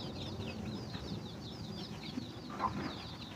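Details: Chickens gathering food for their young: a busy chorus of high, slurred chick peeps, a low murmur beneath, and one short, clear cluck late in the recording.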